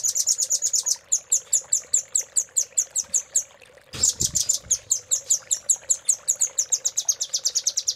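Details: Velvet-fronted nuthatch master song in the Cililin fill style, used to prompt other nuthatches to sing and to tutor caged songbirds: rapid runs of sharp, very high chipping notes, about five a second, with a brief pause midway.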